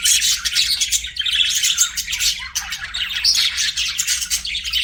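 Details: Budgerigar chirping: continuous bright, busy chatter of quick tweets and raspy squeaks, overlapping notes running without pause, louder bursts near the middle and end.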